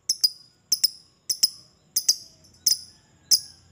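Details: Lovebird chatter played to prompt lovebirds into singing: paired, sharp, high chips repeated about every 0.6 seconds, crisp and dry like tapping.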